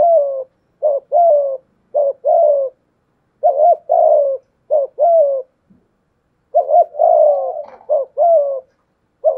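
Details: A spotted dove duel, a decoy with a 'thổ pha thúc' voice against a wild dove. Low coos come in clustered short-long pairs, with an irregular pause in the middle before the cooing resumes.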